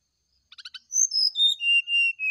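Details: Brown-chested jungle flycatcher in the morning, sung to draw an answer: four short buzzy clicks, then slurred whistles sliding steadily downward into long, even, fluting notes.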